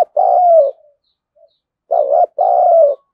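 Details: Spotted dove kept as a lure to stir wild doves to fight, cooing in paired phrases: a clipped dipping note and a drawn-out, gently falling hoot, repeated twice with a pause between.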